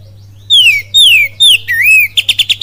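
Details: Kacer pancingan song, kapas tembak type, Cililin: three ringing down-slurred whistles in quick succession, a rising then level phrase, and a rapid string of five or six punchy clipped notes; constant low electrical hum.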